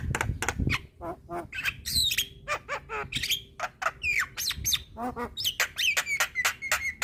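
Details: Black-winged myna (white-eyed form) song from a cage-bird training recording: harsh squawks mixed with sharp whistled notes, rising and falling slurs and rapid clicking bursts, a varied jumbled series of loud calls.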